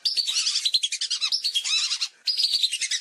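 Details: Rapid, high whistles of lesser whistling ducks from a hunting lure: a tight, busy chorus of sharp notes with one short break midway.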